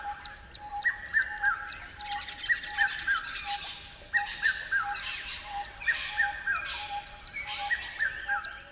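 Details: Bird chirping in a repeated pattern: groups of three falling clear notes recur every second or so over a constant lower tone, with scattered higher chirps from other birds.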